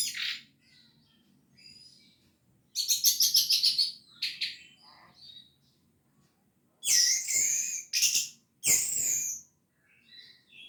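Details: Orange-headed thrush 'gacor teler' song for encouraging reluctant birds: an opening chirp, a rapid buzzy pulsing trill, scattered short notes, then loud piercing whistled phrases separated by brief pauses.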